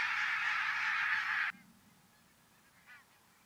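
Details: A huge migrating flock of thousands of Arctic barnacle geese stopping over in central Finland gives a dense wall of yapping, barking calls for a second and a half, then near quiet with one faint call.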